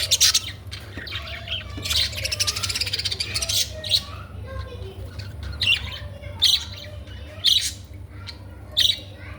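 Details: Budgerigar chirping: sharp high tweets and a scratchy warbling run early on, then separate short chirps roughly every second, over a constant low background hum.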